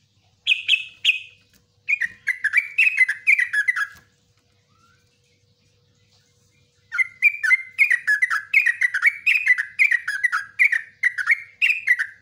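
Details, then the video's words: Yellow-vented bulbul, a long song for training cage birds, in bursts of bubbly, chattering notes descending from about two to one and a half pitch steps, a pause of three seconds, then a long run of repeated warbling phrases. "LIVE TRUCUKAN ROPELAN NGUKLIK NGECRUK"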